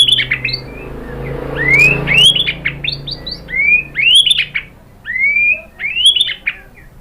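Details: Shama lure song for prompting a reply: loud rising whistles alternating with quick high chattering flourishes, phrases roughly every second with brief gaps, light background hum.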